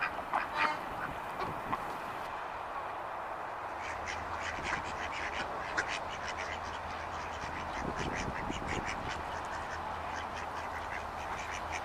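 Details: A flock of ducks giving rapid, raspy quacks in quick overlapping bursts, steady and chattering throughout, over a constant low hum.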